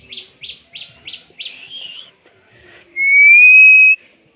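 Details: Pet common myna kept at home, giving five harsh, rasping chirps in quick succession about a third of a second apart, then a brief trill, and after a pause a loud, clear, slightly rising whistle held for about one second.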